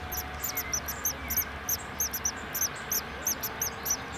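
Great tits give a rapid, uneven stream of very high, thin cheeping notes, several overlapping, over a low steady hum.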